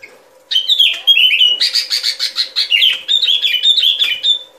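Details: Sooty-headed bulbul song used as a trapping lure: a continuous chattering run of clear, bouncy whistled notes after a short pause, over a faint steady low hum.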